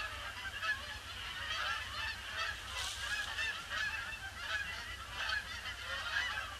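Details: Many Canada geese circle a pond before settling, on a grey December 26th; continuous overlapping honks in a thick chorus, brief louder bursts every second or so, low rumble underneath.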